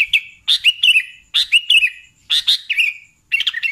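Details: Lively sooty-headed bulbul song, a run of crisp clicky chirps each trailing into a bubbly warble, delivered in tight groups of two or three, with a busier tumbling phrase at the end.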